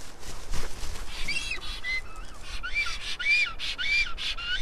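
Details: Black stork nest in Karula National Park, southern Estonia, 2021, filmed by a nest camera: after some rustling, arched, wheezy whistled notes come in a quick, uneven series over a low background rumble.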